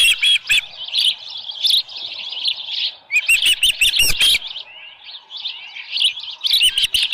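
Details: High, piping chirps from an osprey at a ranch nest on a July 2018 morning, with a headless fish present. The chirps come in bursts with brief pauses, and clicks and bumps are mixed in.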